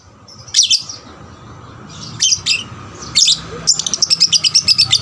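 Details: Young lovebird singing as a lure for other lovebirds; several harsh squeaky chirps, then a fast run of about a dozen evenly spaced sharp notes, over a soft background hiss.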